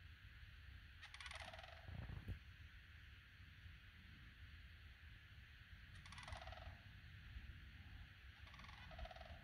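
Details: Sandhill cranes, a pair close to a backyard, utter three rolling, rattled calls spaced several seconds apart, each harsh and trilling and dropping lower at the end; a brief thump near the start, with low rumbling background.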